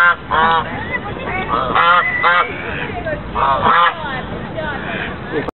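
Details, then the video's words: Several white geese calling at Lake Elizabeth, Fremont, California, 24 November 2013: harsh, nasal honks in clustered bursts about every second or two, overlapping one another, with a softer, continuous chatter between the louder calls. "White geese part 8"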